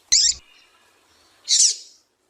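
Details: Two short, high, harsh chirps about 1.4 seconds apart from a female double-collared seedeater, used to stir a captive male into singing. A faint thin tone lingers between the notes.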